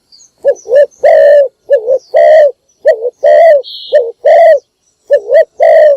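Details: Morning calling of a decoy spotted dove used to attract wild doves: about five loud two-part coos, a quick wavering note then a drawn-out hoarse coo, repeated roughly once a second, with a brief high chirp in the background.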